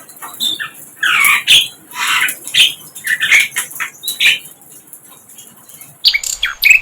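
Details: A wild flycatcher in its natural habitat delivers a lively song of scratchy and whistled phrases. Short notes tumble out in uneven clusters with brief gaps between them, and a sharp, louder burst comes near the end.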